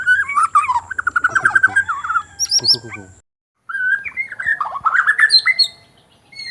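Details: White-crowned shama from Sabah, Borneo, singing a rich, fast warbling phrase of rolling, varied whistles, a brief pause, then another tumbling phrase with high chipped notes mixed in.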